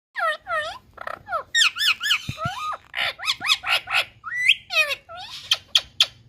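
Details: Pet green Indian ringneck parakeet from India, described as a talking parrot, giving a fast run of squawky, warbling notes that bend up and down, with short pauses between bursts and no other clear sounds.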